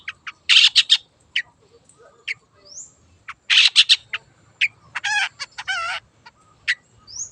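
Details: Energetic long-tailed shrike song used as a lure, wild bird: clusters of harsh rasping bursts, isolated sharp notes, a rapid buzzy trill, and thin rising whistles.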